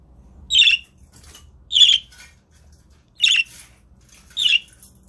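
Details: Budgerigars on a webcam live stream: four harsh, buzzy squawks, each about a quarter second long, spaced roughly every second and a half over a quiet background.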